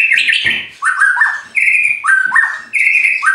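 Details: Caged white-rumped shama at a bird farm in Anyer, Banten, song said to make rivals react: loud sustained whistles alternating high and lower, each phrase held nearly half a second with short breaks.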